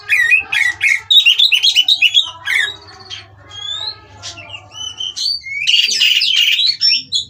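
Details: Oriental magpie-robin pair mating in captivity at a breeding farm, calling to stimulate rivals: fast choppy chirps and squawky notes, then scattered clear rising whistles, and a burst of rich warbling toward the close; steady low hum.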